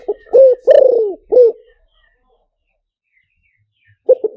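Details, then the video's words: Spotted dove call used as a loudspeaker lure: a phrase of low hoarse coos ending in a drawn-out, falling note and a short last coo, followed by silence before short paired notes begin again. "เสียงต่อนกเขาใหญ่หมานๆ, เสียงนกเขาใหญ่ใช้ต่อลำโพงหมานๆเสียงชัดHD"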